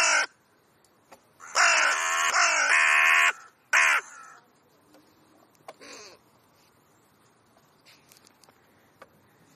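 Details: Talkative crows conversing: a short harsh caw, then a long, drawn-out grating call lasting nearly two seconds with rich harmonics, another brief caw, and a faint call later over a quiet background.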